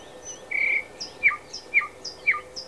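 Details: A thrush nightingale at Háj, Turčianske Teplice, Slovakia, sings a short buzzy note, then a run of sharp, steeply falling notes about twice a second, with thin high notes between them.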